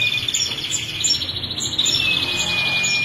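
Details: Sustained rattling trill from a female ashy prinia, a fast pulsing buzz with a thin steady whistle underneath and bright ticking notes above, delivered continuously.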